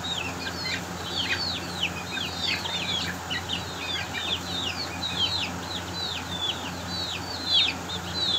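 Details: Aseel chickens, young chicks fighting, give rapid, high, downward-sliding peeps in a dense, continuous stream, with many overlapping calls and a steady low background hum.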